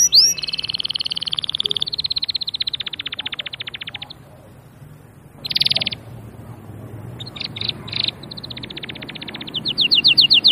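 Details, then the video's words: Canary song: long rolling trills of rapid, buzzy notes lasting several seconds, a short pause, a dense burst, then clipped chirps and a closing run of bright repeated notes, over a low background hum. "تغريد الكناري بصوت جميل"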